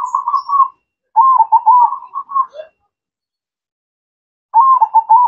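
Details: Local perkutut (zebra dove) singing busily. Repeated low, mellow cooing phrases with a quick stutter into longer coos, separated by a pause of nearly two seconds.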